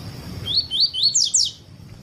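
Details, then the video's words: Tuí tuí style song of a double-collared seedeater, played to teach and warm up other birds: five rapid, bright, high notes, each swept upward then dropping, run together in under a second. "ENCARTE PAPA CAPIM TUÍ TUÍ PERFEITO ENSINAR PAPA CAPIM COLEIRO ESQUENTAR CANTO DO COLEIRO/PAPA CAPIM"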